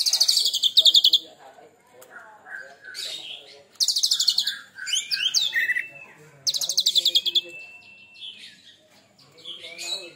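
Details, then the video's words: Kacer, the Oriental magpie-robin, molted once, in loud 'tembakan' song: three rapid machine-gun bursts of high repeated notes roughly every three seconds, interleaved with varied whistles, short warbles and a long flat rising whistle. "Tembakan Kacer Super Pedas"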